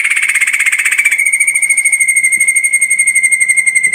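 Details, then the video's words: Ashy drongo delivering a dense 'tembakan rapat' burst: a fast machine-gun series of pulses on one sustained high tone, harsher and louder in the first second. "Masteran suara tembakan burung srigunting kelabu"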